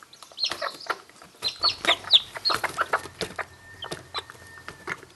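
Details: A mother hen calls her newly hatched chicks to food rather than eating it, breaking it up for them. Soft repeated clucks sound beneath dense high chick peeping, with clicks and a faint steady hum late.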